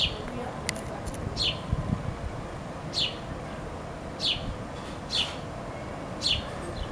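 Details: Baby sparrow chirping for its mother: sharp, high downward-sweeping chirps given singly about once a second, irregularly spaced, over steady low background rumble.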